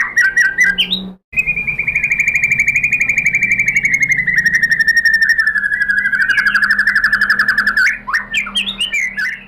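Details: White-rumped shama song used as a lure for other shamas: after opening chirps, one long sustained trill of very rapid, even notes runs about six seconds, slowly falling in pitch, then breaks into varied whistles.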